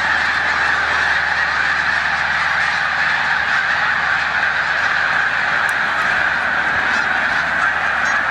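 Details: Migrating snow geese stopped over in a corn field in Savannah, New York, on 14 March 2020, sharing it with resident Canada geese; continuous massed honking from countless birds, with a few sharper calls standing out.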